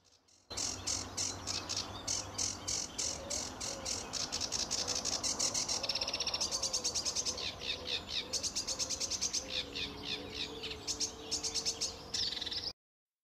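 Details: A male sedge warbler pours out a fast, scratchy, varied courtship song of rattles, chatters and sweet trills for twelve seconds, constantly switching phrases from a repertoire of up to 100 sounds; females favour males with more sounds. Faint low hum beneath.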